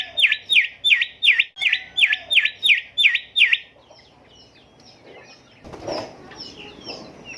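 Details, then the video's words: Golden whistler, known locally as bimoli or kancilan emas, in a training recording for caged songbirds: a fast run of loud, repeated V-shaped whistles, roughly three per second, fading into soft chirps and a brief rustle. "Merdunya Kicau Golden Whistler gacor"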